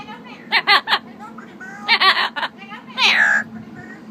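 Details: Pet male Amazon parrot that says hundreds of words and waves bye-bye talks in bright, speech-like bursts of two or three syllables, ending on a high, rising squawky phrase; quiet room hum behind.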